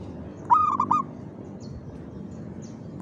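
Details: Zebra dove (perkutut) singing a lively rhythmic coo: a short burst of clear, mid-pitched cooing notes broken into quick pulses, then a pause before another note begins, over a soft background hiss.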